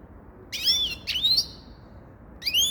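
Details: Three drawn-out, slurred whistled notes from a grey-crowned goldfinch, each sliding upward with a thin, nasal quality, the last coming after a silence of about a second.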